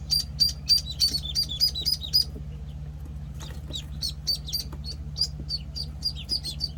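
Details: Penciled call ducklings at one week old: a quick run of bright, high peeps at first, then softer, scattered overlapping peeps, all over a low droning hum.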